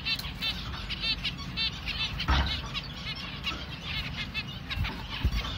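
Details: Hand-fed baby finch begging with quick runs of thin, high, buzzy chirps repeated many times a second, pausing briefly midway, with low room rumble beneath.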